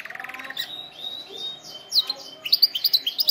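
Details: Canary singing for training canaries: a soft fast rattling trill, a thin held whistle, then loud bright chirps repeated several times per second.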